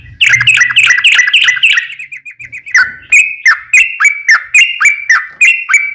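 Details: Sooty-headed bulbul song used to lure other bulbuls into singing: a fast jumble of notes over a faint low hum, followed by a regular series of clipped, slightly falling notes about three a second.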